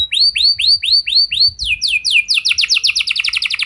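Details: Canary song meant to prompt other canaries to sing: slow rising whistled notes about four per second, then a quickening series of falling sweeps building into a fast, dense rolling trill.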